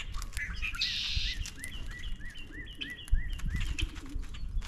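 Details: Common grackles gathering in numbers at a backyard feeder near the end of spring: one harsh, buzzy squeak burst, with a steady series of short rising chirps from another bird repeating behind it and low rumbling background noise.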